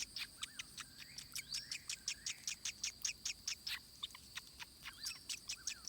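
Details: Racket-tailed treepie chick at the nest in a forest, being fed regurgitated food by its mother; rapid series of sharp, scratchy squeaks, roughly two to three per second, over a steady high insect and cricket drone.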